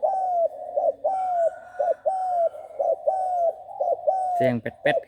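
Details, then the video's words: Six-month-old trained spotted dove in Bang Kaew Tai style, repeating low, mellow coos with brief pauses about once per second, one note falling at its end; a few sharp knocks near the close. "นกเขาใหญ่ บางแก้วใต้ #นกฝึกเสียงเล็ก"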